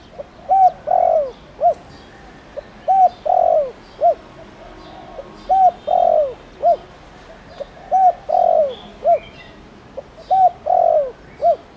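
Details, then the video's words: Spotted dove, decoy bird with a thổ đồng voice used to draw wild doves into calling: repeated phrases of short hollow coos and a longer slurred coo, each phrase returning about every two and a half seconds. "Tiếng cu gáy Thổ Đồng"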